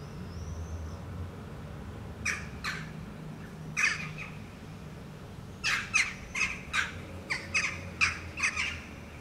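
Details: Eurasian jackdaw foraging on the ground on rock in Helsinki, Finland, in July: short sharp chack calls, a few scattered then a rapid series of about nine near the end, over low background rumble.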